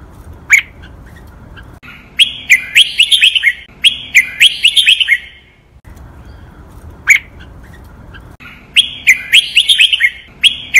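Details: Captive red-whiskered bulbul singing a tutor song for cage birds to copy, in the Thai styles called double 23 counted notes, master pattern, dragged rattan and Pa La-u forest song: bright chirpy whistled phrases of rapid notes, repeated in bursts after short pauses.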